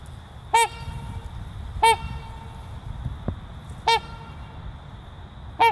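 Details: Trumpeter swan breeding pair calling: four loud, brassy, trumpet-like honks, each brief and strongly harmonic, repeated roughly every one and a half to two seconds against low rumbling background noise and a steady faint hum.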